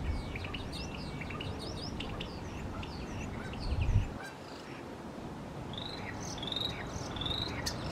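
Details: Starling mimicking other birds: a busy run of short chirps, slurred whistles and quick up-and-down notes, a brief lull around the middle, then clearer rising whistles repeated near the end, over a steady low rumble of wind-like noise.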